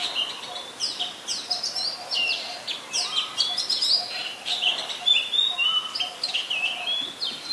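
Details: Oriental magpie-robin, a resident bird, singing in Ubon Ratchathani, Thailand, 3 February 2023, captured on a Nikon P1000: bright whistles and sharp twittering notes in rapid, irregular sequence, with a few lower sliding whistles beneath.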